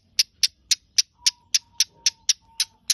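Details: Long-tailed shrike (cendet) singing: a steady series of ten sharp, high, clicking notes about a quarter second apart, over a faint thin steady whistle in the background.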